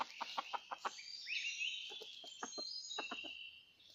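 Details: Red junglefowl clucking in rocky mountain terrain during a trapping outing on 17 March 2019. A run of sharp clucks opens, then pauses under rising whistled bird notes, and resumes in pairs and threes, with a high buzzing background throughout.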